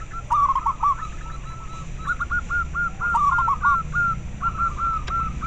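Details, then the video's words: Perkutut lokal, the zebra dove, cooing to stimulate captive doves to breed and sing and to attract wild ones; continuous rhythmic series of short clipped notes, grouped in quick runs with brief gaps, over faint low background noise. "Perkutut lokal suara ampuh untuk merangsang terapi masteran dan ahli pikat"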